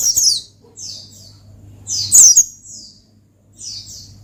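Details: Oriental white-eye giving ngalas phrases to challenge a rival: a few piercing high twittering bursts spaced by quieter pauses, set against a low steady hum and slight room noise.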